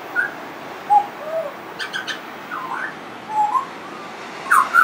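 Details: A friendly pied butcherbird keeps singing, its song including mimicry: scattered flute-like whistles, some dipping low, some curving up, with a burst of high clicky chirps near two seconds and bright notes at the end.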